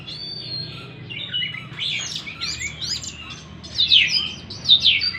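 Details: Oriental magpie-robin song aimed at restarting a bird that has stopped singing; varied whistled phrases building to loud, rapid, downward-slurred chirps.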